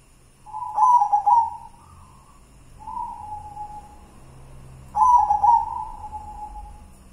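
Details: White zebra dove of local stock, singing the style named kidang Simbar manyura: three resonant, bubbly cooing phrases, each opening with a rolled burst then trailing off into a steady lower coo, separated by short pauses.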